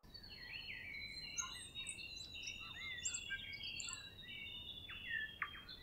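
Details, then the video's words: Grey warbler (riroriro) singing at Kapiti, New Zealand: a long, thin, high whistled line held steadily across the clip, laced with many short chirps, slurred notes and twittering phrases at varied pitches. "Grey Warbler / Riroriro with song"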